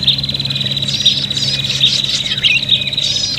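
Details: Prinia fighting calls used as a lure: a continuous high buzzing trill with layered, twisting chirps over it, several birds overlapping, and a low steady hum beneath.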